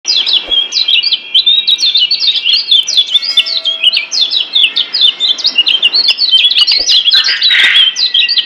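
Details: Kecial kuning Lombok white-eye from Lombok, master song for training caged birds: a dense, fast twittering of high chirps and slurred whistles, continuous over eight seconds, with a brief harsher burst near the end.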